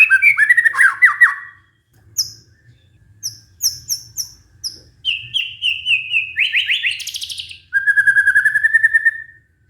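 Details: White-rumped shama pancingan song for prompting silent, stressed birds: quick slurred trills, a pause, high sharp chip notes, steady repeated whistled phrases, a buzzy rising run and a final fast even trill.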